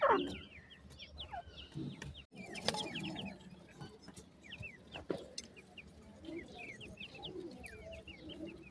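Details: Grey francolin chicks calling with quick, thin, high peeps, overlapping and irregular, with faint rustling and a few louder knocks in the background.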